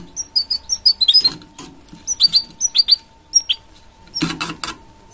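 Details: Goldfinch mule, a goldfinch and canary hybrid, gives a loose series of separate short high chirps and twitters, some paired, with a few rustling knocks of movement and a steady faint hum.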